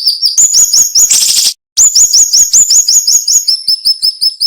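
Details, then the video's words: Cinnamon-bellied flowerpecker singing in tight nembak style for songbird training: quick high slurred notes repeated about three per second, a brief rasping burst, then a long rapid string of piercing downslurred whistles shifting to a lower tick series. "MASTERAN SUARA BURUNG SIRI SIRI NEMBAK TAJAM"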